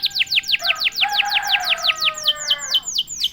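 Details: Canary singing hard ('gacor') after a single prompt: rapid chain of bright downward-sweeping whistles, about five a second, with a softer lower warble running underneath.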